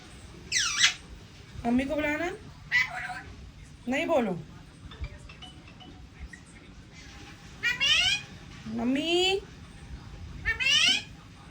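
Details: Pet talking parrot indoors repeating a word several times in high, wavering, voice-like calls, with a person speaking and room noise between them.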